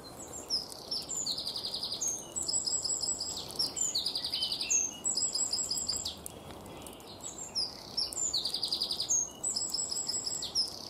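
A wren pours out loud, high, fast song: bright twittering notes and rattling trills in bursts of two to three seconds, with a faint background hiss.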